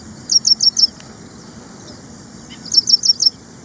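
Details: High, piercing chirps of an ashy prinia in India, delivered in two evenly spaced groups of four quick notes about two and a half seconds apart, with soft background noise between.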